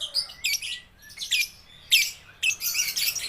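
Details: Baby and juvenile (balibu) lovebirds, played to stimulate lazy lovebirds to sing. Short separated bursts of shrill, buzzy chatter about every half second, with sharp squawk-like notes between quieter pauses.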